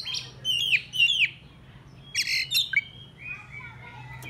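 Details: Oriental magpie-robin song played to draw rivals: looping whistled notes and a harsh scratchy burst, then softer drawn-out whistles over a steady low hum.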